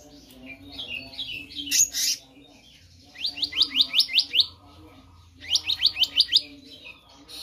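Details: Black-naped monarch in active voice, kept as a tutor for other birds: a rapid series of bright rising whistled notes, repeated in two runs of about eight notes, with a harsh rasp first and a low hum behind.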